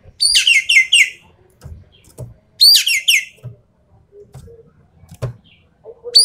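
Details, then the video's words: Javan pied starling's 'full tembakan' song: two rapid bursts of scratchy, rattling notes with falling whistles, separated by pauses with faint low knocks and rustles. "BURUNG EKEK KELING SUARA FULL TEMBAKAN"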